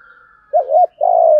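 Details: Spotted dove cooing in a recording of male and female birds for stimulating trained doves: a wavering double coo followed by a sustained low hollow note, over a steady faint higher hum.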